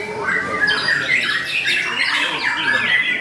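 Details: A captive white-rumped shama (Copsychus malabaricus) at a songbird contest pours out a fast, dense, aggressive run of bright whistles and harsh chattering notes with no pauses, while a voice is faintly heard.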